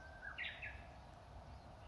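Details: Spring song of a Japanese bush warbler in the grounds of Matsumushi-dera temple, Inzai, Japan, beside blossoming old cherry trees: a level whistled note sliding into a brief burst of higher, bright notes over steady low background hum.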